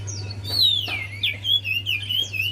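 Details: Javan white-eye song played as a lure to prompt a quiet caged bird to sing: a fast, high twittering phrase of sliding whistled notes, over a steady low electrical hum.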